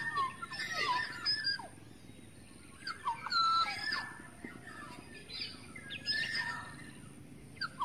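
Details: A lure call of a wild, forest-dwelling Black-naped Oriole. Loud phrases of mellow, slurred whistles mixed with scratchy notes come in bursts roughly every three seconds, with quiet hiss between them.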